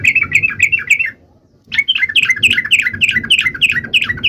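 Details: Vigorous trucuk (yellow-vented bulbul) song intended to stir other trucuk birds to sing: a run of bubbly rolling chirps, a brief pause, then a longer stream of rapid warbled notes over steady low background noise.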